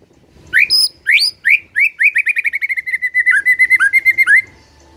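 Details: White-rumped shama in loud, chattering song: a few rising whistled notes near the start, then a fast run of short, clipped whistles repeated about four times a second, ending in a final upswept whistle.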